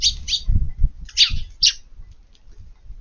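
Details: Eurasian tree sparrows under rainy garden eaves at lunchtime, 7 June, give a few bright, high chirps in pairs, mixed with low thumping and rumbling sounds.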